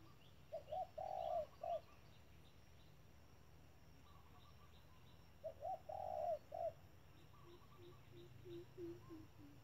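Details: Decoy spotted dove calling at a trap: two well-spaced phrases of short coos around a long coo, followed by a soft series of lower notes near the end.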